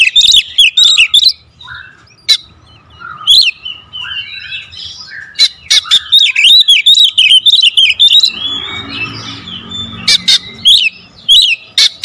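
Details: Oriental magpie-robin lure song, 'tembakan rapat' style: clusters of hard staccato bursts alternating with curling whistled phrases and brief pauses over about twelve seconds, one patch of soft rustling noise midway.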